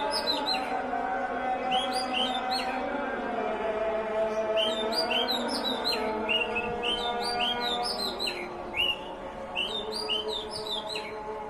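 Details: Bird singing during the azan, with a sung call to prayer droning steadily underneath; quick bright chirps and upward-flicking whistled notes come in clustered bursts, repeated throughout with short gaps.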